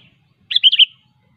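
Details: Single clear phrase from a wild sooty-headed bulbul, a rapid string of four bright, bubbly notes. The bird is singing vigorously, a sharp song that calls rivals, against a quiet background.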